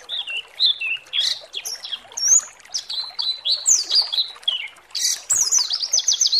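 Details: Pleci (white-eye) provocation song for exciting other birds to sing: a chatter of high, quick, slurred and wavering notes, some rising and some falling, ending in a fast trilled flourish.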